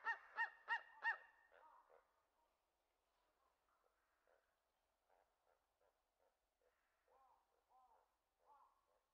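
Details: Steller's sea eagle calling: four loud, harsh, harmonic barking notes in quick succession, then a run of softer, clipped notes and a few short downslurred yelps trailing off in a quiet background.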